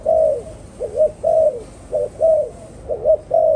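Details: Soft repeated cooing of a spotted dove, roughly seven notes in under four seconds, short two-part hoots alternating with longer falling coos, clear and close with little else audible.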